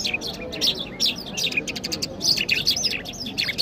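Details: Iranian Mashhadi jal singing in Kabul, Afghanistan: a busy stream of high, sharp chirps and short downslurred notes packed closely together, with low murmuring voices beneath.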